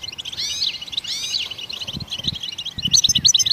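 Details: Wild goldfinches singing to encourage other songbirds, giving sweeping slurred notes followed by quick liquid twitters and a burst of bright chirps near the end, over soft low rumbles.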